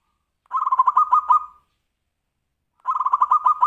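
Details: Zebra dove giving the Tumpang Sari song style, used to prompt other birds to sing: two bursts of rapid, pulsed mid-pitched cooing notes, each about a second long, separated by silence.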